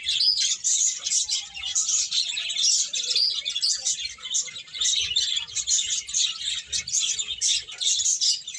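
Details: Many birds chirping together in pulsing waves, sharp high tweets repeated quickly, volume swelling and dipping every second or so.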